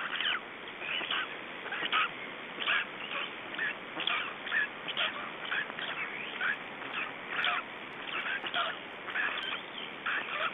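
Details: Estonian black storks during a changeover and feeding at the nest, evening of 2 June 2012, 21:54: steady, uneven run of raspy, wheezing calls repeating about once a second over low hiss.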